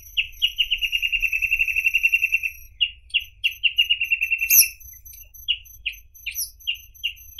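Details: Song of the reed parrotbill, an endangered passerine: rapid run of identical clear chirps forming a two-second trill, a pause, a second shorter trill, then well-spaced single notes, over a thin steady background hiss.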